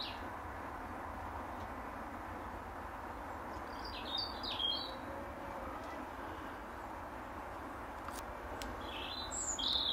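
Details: European robin singing from its usual apple tree branch in the final hour of daylight, defending its territory; two short bursts of thin, high, warbled notes midway and at the end, over a steady broad background rumble.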